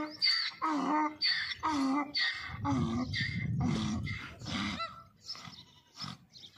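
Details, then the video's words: A white peacock gives a run of loud, nasal, honking calls, about two a second, over a low rumbling background; finding: Indian peafowl. "Peacock Sound"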